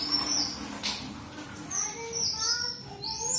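Red avadavat giving thin, very high, sweet notes in short bursts, with a few lower tonal chirps in between and a soft background hiss.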